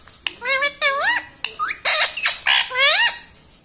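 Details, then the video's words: Talking pet parrot, said to speak "mummy": a rapid series of loud, nasal, harmonic syllables that rise and bend like mimicked words, with short gaps between bursts in a quiet room. "talking parrot"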